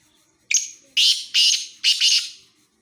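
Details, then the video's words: Black francolin near Khushab delivers a loud grating phrase: one thin sharp note, then three rough, raspy notes, the last doubled, over an otherwise quiet background. "kala teeter ki awaz"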